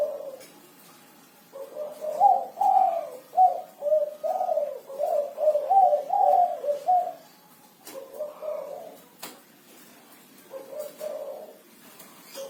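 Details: Spotted dove singing actively in the kuku 6 style: about two coos per second in a long, pulsing phrase of soft, slightly wavering notes, a pause, then two shorter cooing bursts, with occasional faint clicks.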